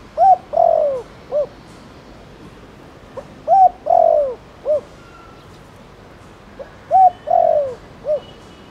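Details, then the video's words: Spotted dove cooing in the Thổ Đồng style, used to stir other doves into calling: three phrases about every three and a half seconds, each a short hooted note, a long slurred coo falling at the end, then a brief closing note. "Tiếng cu gáy Thổ Đồng gọi bổi nhanh gáy"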